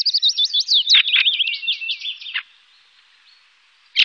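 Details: A Fieldfare in Wittlich, Germany, in 2018 gives a fast, squeaky, chattering run of high twittering notes for about two seconds, then falls quiet before one last brief squeak.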